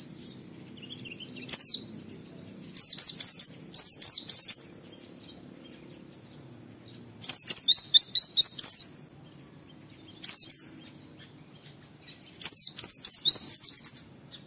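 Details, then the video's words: Oriental white-eye 'wit wit' recording meant to train and stimulate other white-eyes: bursts of quick, shrill, falling whistles spaced by pauses of a second or more, the longer bursts holding five or six notes. "Masteran Pleci Nembak Wit Wit Mudah ditiru, semua pleci terpancing ikut Nge witwit"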